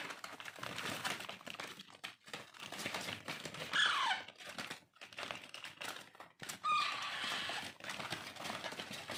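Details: Alexandrine parakeet chicks being hand-fed indoors give harsh, raspy, crackling begging calls in uneven bursts, with a few brief thin squeaks, over close rustling.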